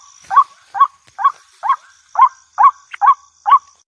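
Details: Repeated hoarse croaks of a white-breasted waterhen, used as a lure sound. Short upward-bending notes come at a brisk, slightly uneven pace of roughly two per second over a thin high tone.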